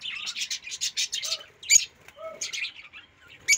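Rosy-faced lovebird chirping in rapid, shrill, buzzy bursts, several per second, with a couple of sharper high squeaks.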